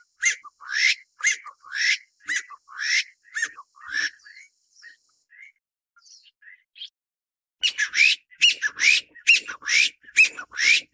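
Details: Taiwan bamboo partridge feeding its chick, an endemic bird of Taiwan's mid- and low-elevation woodland. Loud, harsh, upslurred notes come in a rapid series, pause for faint high chirps, then resume in another fast, loud burst.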